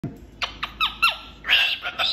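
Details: Caged pet cockatoo performing on top of a big cage: a quick series of short, sharp squawks and chirps, then a louder, harsher screech, with a person exclaiming nearby.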